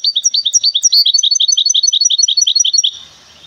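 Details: Large goldfinch hybrid from the city of Temara, heard in a bird market. Its song is a fast run of high, rapid chirping notes, about three per second-fraction, pouring out for nearly three seconds before stopping.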